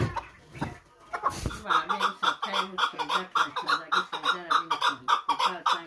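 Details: Hunting chukar partridge from Muminobod giving steady, rhythmic clucking calls, close to two per second, after a brief rustle and thump at the start; a human voice is faintly present.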